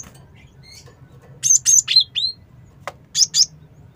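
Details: Cinereous tit calling as a lure, giving a quick series of high chirps and two downslurred whistles, then a pair of sharp notes, with a low hum in the background.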